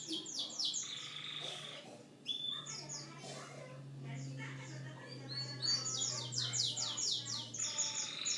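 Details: Canary song with fast trains of sharp, descending chirps, buzzy rolled passages and varied twittering notes, over a steady low electrical hum.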